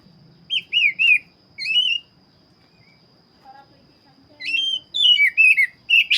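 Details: Black-breasted Oriental magpie-robin in full song: short groups of clear, falling whistles, then a quiet stretch with soft lower notes, followed by a quicker run of varied, twisting whistled phrases; a thin constant high tone persists throughout.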